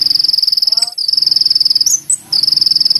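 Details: Sunbird (kolibri ninja) song used as a lure to provoke a response: very high, fast buzzy trill of evenly repeated pulses, broken once by a brief pause and a short twittered note before the trill resumes.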